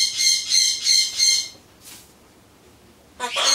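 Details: Pet Solomons corella indoors during its pre-pumpkin monologue. Four shrill, rasping squawks repeat about every third of a second, then a faint hiss, silence, and a final screechy burst.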